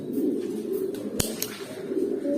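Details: Pigeons just reaching adulthood at eight to nine months coo in low, rolling phrases, with a sharp click and a rustle in the middle.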